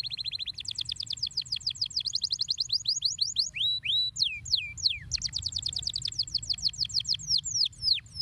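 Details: Canary song meant to stimulate other canaries: rapid trains of high whistled notes, repeated syllables sweeping downward, some steady tours then swooping glides, continuous and loud with low background hum.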